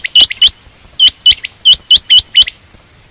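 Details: Female quail uttering crisp, rising chirps, a pair and then a run of five evenly spaced notes, with a last note at the end.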